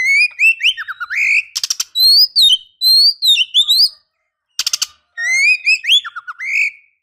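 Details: Female Oriental magpie-robin enticing a male with repeated phrases of sweet, swooping whistles broken by short bursts of harsh, rattling buzzes, with the same pattern recurring after a brief pause.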